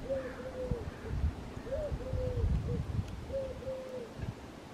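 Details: A Mourning Dove cooing on an electrical wire gives soft, hollow, low coos in three phrases about one and a half seconds apart, over a steady low rumble of wind or distant traffic.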